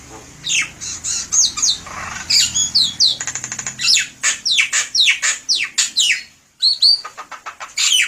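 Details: Jalak kebo, the buffalo myna, in full song used as a lure: a rapid chattering run of sharp downward-sweeping whistles, squawks and a rattling buzz, with one brief pause near the end.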